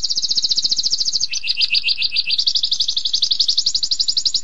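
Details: Canary in 'tembakan pedas' song, a continuous rapid trill that starts very high, drops to a lower pulsing roll midway, then climbs back to a high, fast, even trill.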